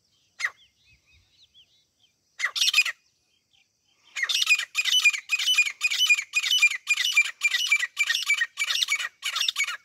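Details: Grey francolin (desi teeter, grey partridge) calling for hunting use: an isolated sharp note, a double burst, then about eleven loud, rough, rasping notes in a steady rhythm of roughly two per second.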